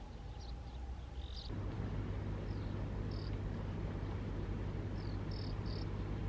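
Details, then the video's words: Male and female graceful prinias in a courtship dance on farmland in Saudi Arabia. They give a few high, short buzzy notes, some paired, spaced over several seconds. A loud low mechanical drone fills the background. "طير تسمع صوته بمزارع السعودية ولا تراه وفائدته للحقول تفوق حجمه - رقصة غزل ذكر وأنثى الدخلة الرشيقة"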